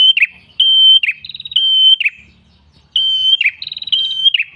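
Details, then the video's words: Tailorbird known locally as prenjak kepala merah sings for bird luring: repeated level whistled notes, each sliding down into a buzzy twitter, with faint rapid stuttering notes overlapping between phrases. "MASTERAN PRENJAK KEPALA MERAH GACOR SUARA NGALUN ENAK"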